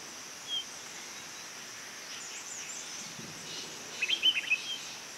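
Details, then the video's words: A female Blue-capped rock thrush (Monticola cinclorhyncha) calls: one thin, high note, then a quick burst of short chipping notes, over a steady hiss of insects. "Call of Blue-capped Rock-Thrush Female"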